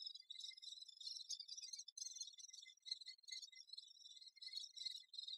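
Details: Great spotted woodpecker busy with its young, giving an unbroken, shrill, insect-like buzzing chatter of fast scratchy notes, rising and falling in loudness throughout.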